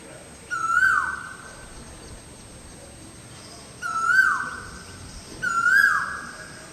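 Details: Koel on a tree in front of a balcony, repeating a loud whistled note that starts level and slurs downward, three calls in under seven seconds, the last two close together; light ambient noise.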